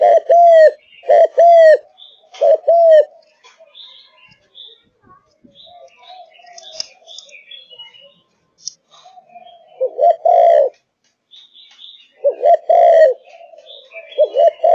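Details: Spotted dove from a Malaysian line, a kept bird in full song. Several low, mellow two-part coos come in bursts, with quieter stretches holding soft rustles and faint chirping between the groups.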